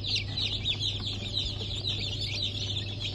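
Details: A 4 August 2024 hatch of Brahma and Wyandotte chicks, loud bright peeping from many chicks at once, rapid and overlapping, with a low steady hum beneath.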